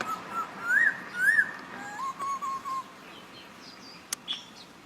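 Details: Papuan poksay recorded at Nabire, Papua, on 26 December 2021, giving clear whistled notes, some rising and falling, in a loose run of phrases, followed by a lower wavering whistle and a sharp click near the end.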